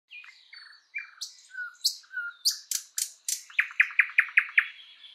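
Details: Thrush nightingale singing in a spring forest: soft varied whistles and chirps building into loud, evenly repeated piping notes about five per second, ending in a quieter buzzy trill.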